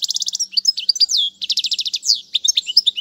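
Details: European goldfinch tutor song for young birds: fast buzzy rattled trills alternating with sweet high twitters and chirps, nearly continuous throughout.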